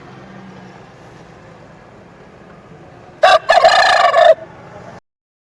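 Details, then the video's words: Aseel rooster crowing: one harsh crow of about a second, a short opening note then a rough sustained stretch, over steady background hiss. "Aseel Roostar Sound effect// aseel roostar sound"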